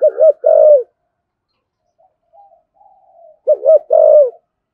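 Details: Spotted dove in 'thổ sấm' style, urging and calling coos: two phrases, each a wavering double note followed by a long, slightly falling coo, with a faint soft hum in the gap between them.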